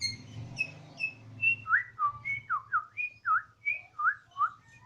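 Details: Bornean white-rumped shama kept at home, singing in the siren-like 'odong-odong' manner: a series of clear whistled notes, some rising and some falling, about two per second, over a low steady hum.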